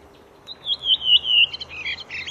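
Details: Redwing singing a clear whistled phrase that slides downward, then breaks into a short burst of scratchy twittering notes near the end.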